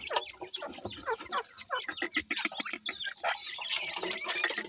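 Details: Partridge chicks, dakhni teetar, during play time; many short, high peeping chirps overlap almost continuously, some slurred downward, over faint background rustling.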